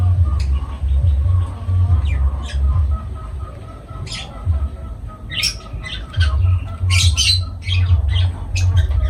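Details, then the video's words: Lovebirds squawking in sharp, high bursts, clustered in quick groups with short pauses, over a pulsing low rumble. "Love birds voice sound"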